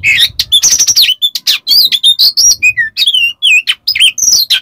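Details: Oriental magpie-robin in a fast, frenzied "konslet" song used as a lure for silent magpie-robins: a quick jumble of bright whistles, rising and falling slurs, harsh rasps and chips delivered loudly and continuously.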